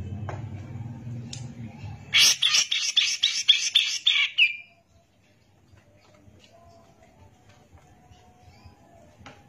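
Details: Brown-cheeked bulbul (cucak jenggot) in prolific gacor song, used as a tutor recording: a harsh, buzzy burst of rapid pulsed notes lasting about two seconds, then near silence with a faint low hum.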